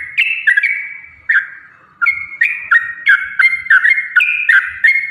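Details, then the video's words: Yellow-vented bulbul in lively song, a recording meant to make other bulbuls sing: a stream of rich bubbly whistled notes rising and falling, the phrases coming quickly one after another. "trucukan gacor TARUNG ROPEL PANJANG pancingan trucukan agar bunyi"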